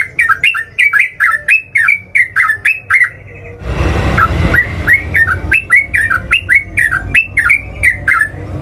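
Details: Yellow-vented bulbul singing in the lively ngeropel style used as a lure: rapid strings of short bubbly, down-slurred notes, about five per second for three seconds, broken by a burst of rushing noise before the chattering notes resume.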